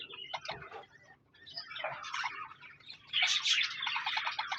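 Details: Budgerigar chirps and warbling come in scattered phrases, quiet at first, then a louder run of rapid, buzzy high notes in the last second and a half.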